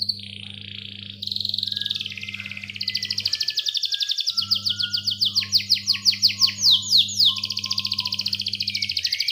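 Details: Canary lure song for young birds and for canaries that have stopped singing, a long clear roll: high buzzy notes, then a rapid rhythmic trill of sharp descending strokes, with softer lower whistles and an intermittent low electrical hum.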